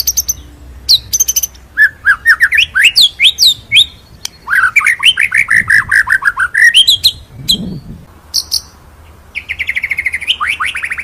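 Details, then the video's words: White-rumped shama giving a full rolling, shooting tutor song. Rich, varied whistles sweep up and down, followed by chattering runs of repeated notes and sharp high flourishes. The bird is loud and close, and a faint low hum sits underneath. "MASTERAN MURAI BATU FULL NGEROL NEMBAK"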